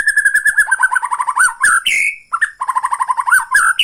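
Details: White-rumped shama from Borneo in tretekan mode, provoking rival shamas: fast stuttering trills of bright, clipped notes, a sliding whistled phrase, a short pause, then the rapid trill pattern again.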